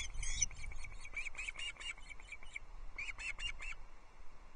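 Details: Ospreys at the Loch Arkaig nest on 17 July 2022, with everyone chirping as the third fish, a whole one, arrives. Quick bursts of sharp, high chirps run steadily, pause briefly, then resume over a low rumble of wind.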